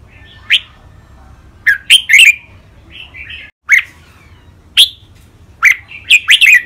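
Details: Red-whiskered bulbuls kept in cages give a training song of the rik, beul, lak wai, mae bot and nap dok styles. Irregular loud chirps and quick whistled doublets, with a dense run of notes near the end.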